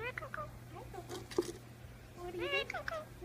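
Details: A pet Indian ringneck parakeet talks in short, speech-like phrases with sliding, nasal tones and a few quick rising and falling syllables over a steady low hum; it also laughs, whistles and makes kissing noises, with an umbrella cockatoo in the background.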